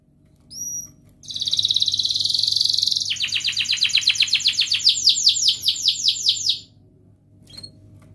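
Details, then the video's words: Canary in full song, used as a lure to get lazy canaries singing, in ngerek, mbarong, cuit-cuit and ngerol styles. Two short high whistles, then a dense buzzy roll, then a long run of fast, repeated, sweeping trill notes that stops abruptly. A brief chirp follows. "Kenari gacor NGEREK MBARONG Cuit cuit NGEROL"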